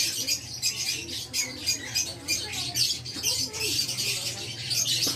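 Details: Violet parblue Fischer's lovebird in a cage, harsh shrill squawks and buzzy chatter running continuously in uneven bursts, quieter low murmuring underneath.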